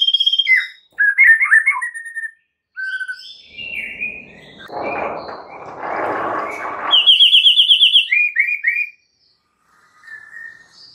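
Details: White-rumped shama song played to provoke other shamas into singing, a varied run of whistles, chattering phrases and a rapid high trill, with a burst of harsh, noisy sound in the middle.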